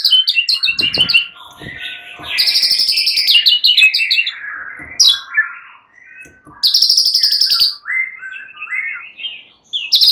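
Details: Nearly all the fighter white-rumped shamas join in, agitated, answering each other. Long, rapid high trills alternate with looser whistled warbles and brief gaps.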